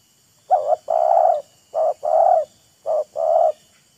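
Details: Spotted dove coos in an exchange between a wild bird and a decoy bird that show off their voices and court one another. Three phrases follow a short pause, each a clipped note then a drawn-out hollow coo.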